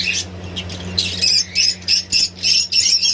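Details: Baby parrots on a parrot farm in India giving short, harsh, high-pitched squawks in rapid bursts, several each second, growing louder and more regular toward the end, over a steady low electrical hum.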